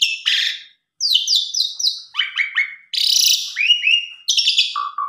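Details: Asian pied starling song used to stimulate a lazy or stressed starling to sing: varied chattering phrases, harsh rasping bursts, repeated descending buzzy notes and short whistled slurs, with brief pauses between phrases.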